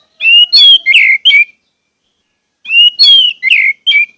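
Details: Orange-headed thrush, a caged bird, song used as a lure to prompt other caged birds to sing: two short phrases of clear whistled notes near mid-high pitch with buzzy slurred elements, separated by a pause of about one second.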